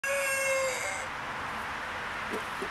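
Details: Buff black Columbian rooster crowing: a loud, steady, strongly harmonic tone held for about a second, sagging slightly at the end, then fading into broad background hiss with a couple of faint clicks.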